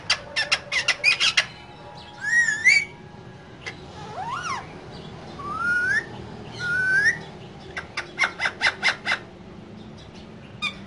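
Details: Two green parrots in a cage, described as talking, mix quick rattling chatter with several looping whistled phrases that rise and fall, then more clipped chatter notes and a low background hum.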